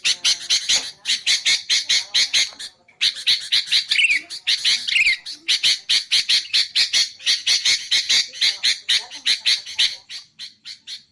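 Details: Sooty-headed bulbul recording used to attract wild bulbuls and to tutor songbirds. Rapid harsh chatter pours out almost continuously, pausing once briefly, with short falling whistled notes mixed into the middle.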